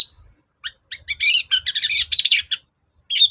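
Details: Long-tailed shrike singing a provoking lure song: scattered soft chips build into a fast, tumbling run of mixed warbled and scratchy notes, followed by a pause and a brief squeaky phrase.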